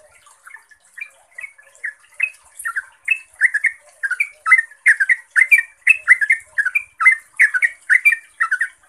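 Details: Steadily intensifying 'ropel' song of a yellow-vented bulbul, used to lure other bulbuls into responding; many rapid, rolling, gurgled notes in a continuous stream growing louder, over soft hiss.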